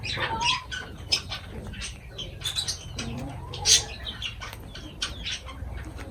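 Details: Caged lovebirds around their food give scattered short, high chirps and an occasional brighter squeak. A steady low hum runs beneath.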